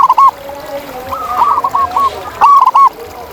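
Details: Zebra dove in the wild giving its rolling coo. A loud clipped phrase opens, a softer string of linked hooting notes follows, then another sharp, hurried burst of three or four round notes closes it.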